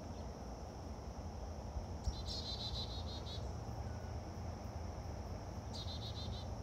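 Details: Chickadee yelling on and on: a quick series of harsh, buzzy repeated notes, then a shorter second burst a few seconds later, all set against a constant high insect hum and low rumbling noise.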